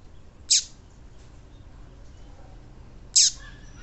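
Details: A female double-collared seedeater's call, used to stimulate males: a pair of clipped, very high chips with short downward tails, spaced about two and a half seconds apart over light hiss.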